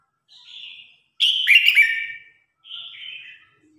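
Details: Red-whiskered bulbul in competition singing to gather the flock: a soft whistle, then a loud, rapid cluster of chirpy notes with quick slides, and a final two-part whistled phrase.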